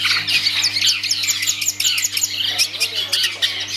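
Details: Song of a kept long-tailed shrike: rapid, scratchy, jumbled high chattering and short squeaky notes pouring out almost nonstop, with a faint steady hum beneath.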